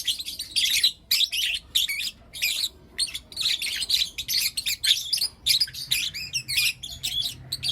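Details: Morning chirps from four young lutino lovebirds: a steady run of short, shrill, squeaky notes about every half second, some bursts twittering and rapid.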